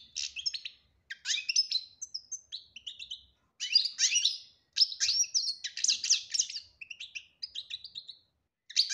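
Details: Betbta-style goldfinch song with tasfia: lively tinkling twitters, buzzy rattles and high whistles in a run of phrases with short gaps between them.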